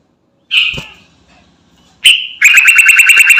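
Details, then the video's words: Sooty-headed bulbul, garuda variety, calling companions: two sharp, fading whistled notes, then a loud, rapid, buzzy series of clipped notes repeated many times a second. "Burung Trucukan Garuda Gacor Manggil Teman"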